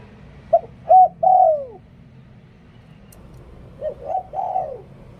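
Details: Liu Tan song of a spotted dove kept as a decoy: two phrases of short notes leading into a long descending coo, the second phrase softer.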